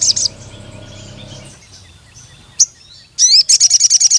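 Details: Crimson sunbird calling to a rival male: a brief burst of high, sharp chips opens, a low hum fades after a second and a half, then isolated high notes give way to a fast, evenly pulsed series of piercing chips.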